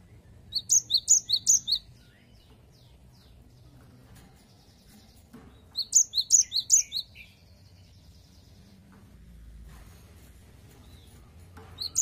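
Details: Gelatik batu, the cinereous tit, in full 'wucit wucit' song: two bursts of rapid, piercing high double whistles about four seconds apart, each burst lasting over a second, with a faint softer twitter trailing after.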